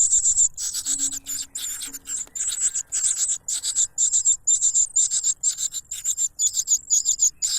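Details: Begging cuckoo chick, loud while snatching food from the foster parent: shrill, very high chirps in dense rapid bursts, with a faint low tone briefly beneath.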